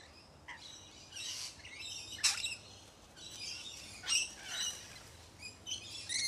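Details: Lorikeets eating sunflower seeds give shrill, harsh screeches and chatter in irregular bursts, several overlapping, against faint background hiss.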